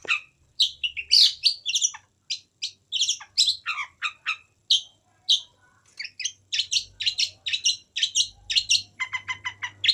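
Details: Long-tailed shrike in a dense, varied song of rapid chattering syllables, harsh rasps mixed with sharp whistled chips, running almost without pause, ending in a quick series of repeated clipped notes.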